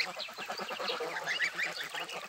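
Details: Domestic geese swimming on the Volga in Russia, kept on a home farm; a flock gabbles in dense, overlapping nasal honks and chatter that run without pause through the whole stretch.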